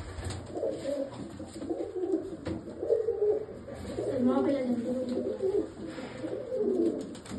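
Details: Pigeons in Bhopal giving low, throaty cooing in rolling, wavering phrases that swell and fade across several seconds, over a steady indoor background hum.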